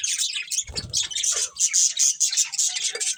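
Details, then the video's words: High, squeaky budgie chirping from a breeding pair, fast and scratchy with bright whistled notes, plus a brief low thud early on. "Cute Budgies Chirping Sounds"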